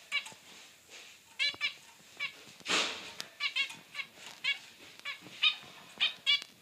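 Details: Pair of pet zebra finches, male and female, exchanging bright nasal toots in rapid irregular series, some doubled, interrupted once by a short broad whooshing rustle near the middle.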